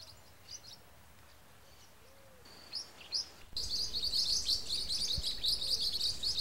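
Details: Wild blue-winged parrotlets (Forpus xanthopterygius) give high, sharp chirping notes, sparse at first, then a dense, rapid chatter from several birds, about three notes a second.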